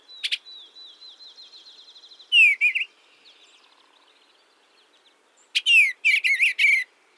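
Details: Eastern Bluebird (Sialia sialis) song, typical of scrubby meadows and forest clearings: two bursts of soft, warbled, slurred mid-to-high phrases, preceded by a long, thin steady whistle with faint chatter.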